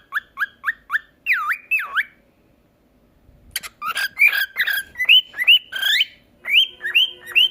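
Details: Cockatiel learning to talk and sing, first giving four quick identical whistled notes, then two deep swooping V-shaped whistles. After a short silence comes a lively stretch of chattering, scratchy squeaks and rising whistled phrases repeated several times.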